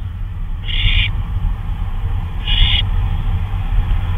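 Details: An owl flying about at 2:39 AM on May 26, 2013 gives two brief, harsh hissing screeches nearly two seconds apart against a loud, steady low rumble.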